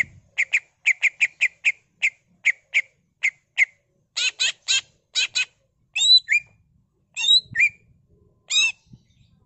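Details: Greater green leafbird in full 'gacor' song with mimicked fills, ngentrok style: a quick run of sharp, evenly spaced chirps, then louder buzzy double notes and rising and falling whistles.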